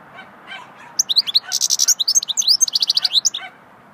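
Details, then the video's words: Swittey-style goldfinch song that begins with faint soft notes and then becomes a quick, continuous stream of high, sharp twittering and buzzy trills lasting about two and a half seconds. "Singing swittey goldfinch song"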